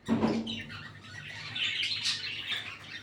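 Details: Red-eyed lutino and albino budgerigar pair kept for breeding, a low thump and scratchy note opening, then a soft, continuous warbling chatter of thin high notes.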